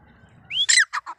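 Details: Single grey francolin phrase from a recording of male and female birds: a smooth rising whistle, then a loud harsh note and two shorter rasps.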